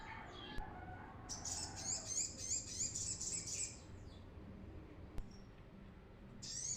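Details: Brown-throated sunbird, used as a training lure, sings a run of high thin wavering notes repeated quickly for about two seconds, followed by quiet, clicks, and a final short burst.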